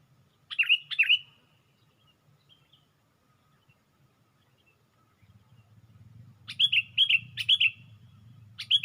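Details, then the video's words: Sooty-headed bulbul raising its wings on a branch, lure recording: an opening pair of sharp swooping whistles, a quiet gap, then a run of four more ringing notes over a rising low hum. "Pikat Burung Kutilang"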